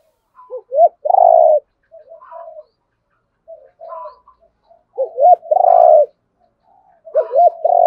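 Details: Spotted dove, male and female birds, calling to provoke a rival to fight; two short upturned notes then a long level coo, phrase repeated about three times with softer cooing between.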